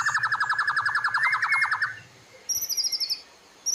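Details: White-rumped shama master recording for training caged birds: a fast even trill of repeated chirps for about two seconds, then a short pause and a higher, thinner rattling trill.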